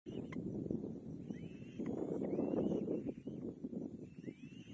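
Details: Young kite being fed its final meal by its mother, giving thin whistled calls that rise then level off, repeated irregularly several times per second, over heavy low rustling and handling noise.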